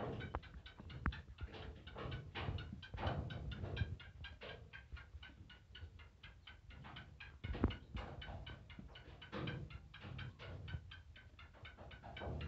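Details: Black francolin calling in a long, fast series of clipped, ticking notes, several each second, briefly pausing and resuming over twelve seconds, with a low background hum and a few louder knocks.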